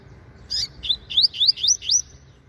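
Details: A Rusty-collared seedeater sunbathing in the morning sings a quick run of about six high, sweet, upslurred and looping notes in under two seconds; a faint low hum lies beneath.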